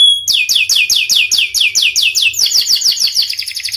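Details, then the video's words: Canary, a panda-marked bird, opening with a thin pure whistle and then pouring out fast repeated falling sweeps that speed up into a tight rolling trill. "Kenari panda gacor"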